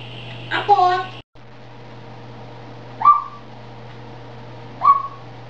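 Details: A grey parrot, a talking pet heard indoors, gives a muffled speech-like sound and then two short upward-sweeping whistles about two seconds apart, against a low steady hum.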